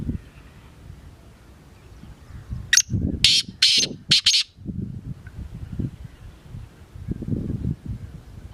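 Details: Black francolin (kala teetar) delivering a grating call of one brief note and four harsh buzzy notes, the final two close together, over steady low rumbling noise.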